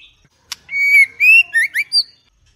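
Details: A female White-rumped shama gives one loud click, then a long level whistle followed by three quick upslurred, ringing notes climbing higher.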